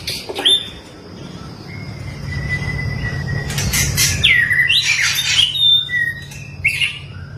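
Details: White-rumped shama of the long-tailed type being trained: a long, level whistle held for seconds, then swooping slurred notes and short bright phrases, with sharp clicks at the start and a constant low hum beneath.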